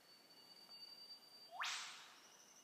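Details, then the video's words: An Eastern whipbird gives a thin, drawn-out whistle that snaps into an explosive, upward-sweeping whipcrack, followed by a brief high note. "Eastern whipbird"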